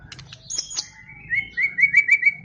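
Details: White-rumped shama, a champion competition bird, giving a short phrase: high chirps, then a run of short rising whistled notes repeated about five times in quick succession.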